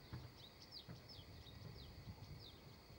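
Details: Female redstart in spring: faint, thin, high notes, each sliding downward, repeated irregularly about every half second over a steady low background rumble.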